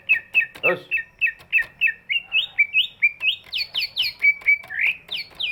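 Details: Greater green leafbird with a large body, its song used to get lazy birds singing; repeated chirps, then rising and falling whistles climbing into high squeaky slurs, with a harsh note early on.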